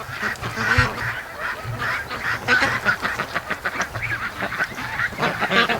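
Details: Free-range domestic ducks in their morning rush, a flock calling together: dense overlapping raspy quacks and honking notes, nearly continuous, with loud bursts throughout and no other clear sounds.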